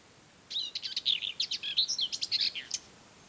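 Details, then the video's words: A Common Whitethroat sings in mid-May in coastal Møre & Romsdal, Norway, a brief fast scratchy warble of jumbled chattering notes lasting about two seconds, over faint background hiss. "Singing Common Whitethroat warbler"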